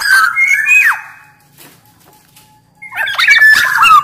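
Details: Sumbawa big-bodied black-naped oriole, caged, singing as lure and master song: a whistled phrase ending in a steep downward slide, almost two seconds of quiet, then a burst of harsh chattering and bright whistles.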